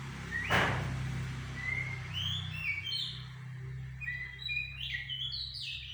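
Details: Sumatran laughingthrush, known locally as goci, giving a lure song to provoke a reply: sparse, thin upslurred and downslurred whistles spaced out, over a constant low hum, with one brief sharp click early on.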